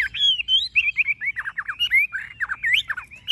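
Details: Tame Chinese hwamei, yellow-legged and yellow-billed, delivering a fast stream of liquid whistled slurs, rising and falling notes run together in a continuous, tuneful warble.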